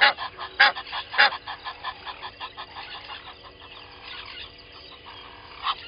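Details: Pair of Egyptian geese at a waterhole, Gowrie dam, Djuma Game Reserve, South Africa, at 05:32; three loud rasping honks open, followed by a fading run of softer rapid calls amid background birds.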